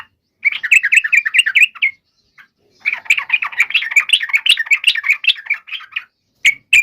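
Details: Yellow-vented bulbul fighting song, a lure to provoke answering bulbuls: two long bursts of fast, bubbly, warbling notes separated by a short silence, with a final brief call, in a quiet setting.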